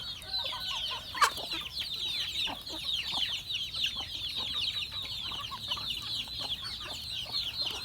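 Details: A flock of farm chickens during feeding, heard as a busy wall of high, overlapping peeps and chirps. A sharp click rings out early on, and short lower clucks repeat throughout.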